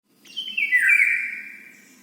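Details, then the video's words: Bird asking for food at breakfast, as it does every morning: one loud, drawn-out call sliding down from a high pitch to a lower one, lasting over a second and fading out slowly. "bird ask food for breakfast daily morning"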